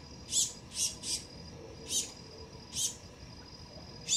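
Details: Juvenile male black-goggled tanager visiting a garden fruit plate for the first time, watched by a pair of dusky-legged guans; short high sharp chip notes, mostly single, some in quick pairs, spaced irregularly over steady faint insect hum.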